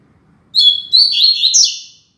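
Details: Rusty-collared seedeater singing the classic Tui Tui Zel Zel song, used for training young birds: a short high phrase of clear whistled notes, then a faster, rising, warbled run of slurred notes ending in a fading trill, in a quiet background.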